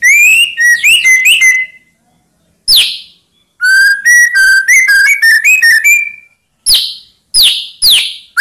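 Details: White-rumped shama song played to provoke rival birds into answering: loud whistled phrases of rapid sliding notes and trills, broken by short pauses, with sharp high upward whistles in bursts.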